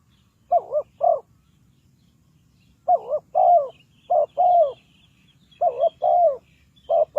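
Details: Spotted dove calling as a decoy to lure birds into a trap: loud, mellow coos in groups of two or three, a short note followed by a longer wavering one, with pauses of one to two seconds between groups.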